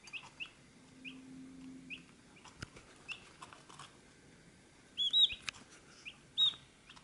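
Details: Chicks at a feed dish give high, short peeps at a steady easy pace. Several loud, bright downslurred calls come near the end, and sharp tapping clicks and a low hum are heard as well.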